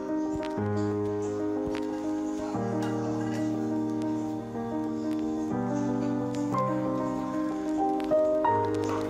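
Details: Gentle instrumental music with plucked, guitar-like notes over sustained low chords and a steady rhythm; no animal voice is heard.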